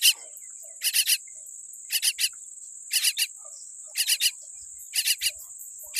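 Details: Weak-beaked baby myna calling with rasping double and triple notes, about one burst each second, six in total, above a continuous thin high-pitched drone.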